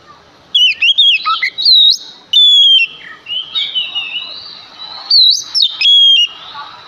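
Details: Male Oriental magpie-robin with lively, varied song, meant to prompt other magpie-robins to respond. Sharp whistles, slurred notes and chattering phrases alternate, with a softer rambling warble in the middle.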